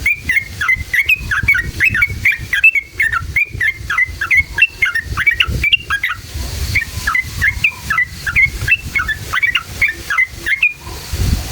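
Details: Long ngalas ropel song of a yellow-vented bulbul, played as a lure to stir other bulbuls: rapid, continuous run of bubbly, liquid chirps, a brief break near six seconds, then another chattering run.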